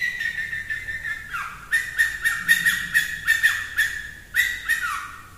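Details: Long-tailed shrike in a singing duel with another shrike: a steady high whistle with rapid harsh, scratchy bursts about every half second and a couple of downward-sliding notes. No other sounds.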